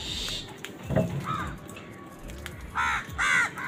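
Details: Crows calling while fighting over food, with harsh cawing bursts near the end and a few softer caws earlier, over a background of low rumbling noise.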